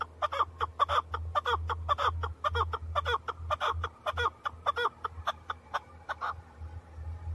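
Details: Male chukar partridge in Tajikistan, 2020: a rapid run of harsh, clucking chuk notes, nearly two per second, rich and ringing, fading toward the end over a steady low hum.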